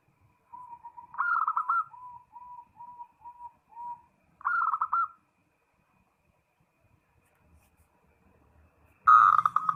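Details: Zebra dove calling a rival: a soft row of single low coos with a quicker rolling phrase, a second fast phrase, a long silence, then a loud burst at the end.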